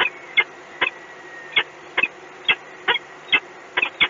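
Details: Peregrine falcon from Gdynia uttering a steady run of about ten abrupt, scratchy call notes, some doubled, spaced a little under half a second apart, with a soft background hum throughout.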